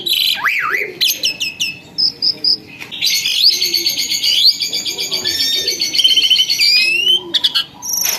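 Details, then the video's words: Once-wild caged myna that has turned tame and vocal: opens with scratchy chirps, then a long continuous trilling, rattling phrase of high notes lasting several seconds before ending in short sharp calls. "tiba tiba burung ini jadi gacor dan jinak, awalnya burung giras"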